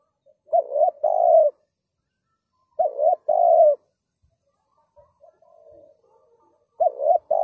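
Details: Spotted dove used as a lure for trapping, giving loud low cooing phrases: two quick notes then a longer coo, repeated in groups about every three seconds, with faint softer coos between.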